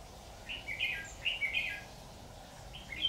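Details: On 26 October 2019 a red-whiskered bulbul decoy sings short, bright warbled phrases in quick succession to draw wild birds toward a trap. Light background noise.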